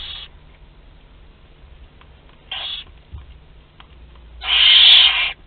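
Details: Barn owl young, two to twelve days old, at a shared meal in a Théding nest, France, April 2021: two short faint hisses, then one loud, drawn-out harsh screech of about a second.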